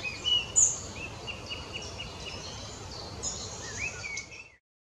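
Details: Collared flycatcher singing thin, high squeaky notes and short slurred whistles at an unhurried pace, over steady background hiss; recorded in woodland near Malenovice, 23 May 2015.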